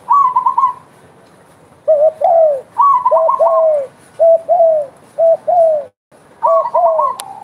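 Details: Spotted dove calling vigorously: repeated low two-part coos, a short note and then a longer falling one. A higher, faster series of coos runs above and between them, with brief gaps of silence.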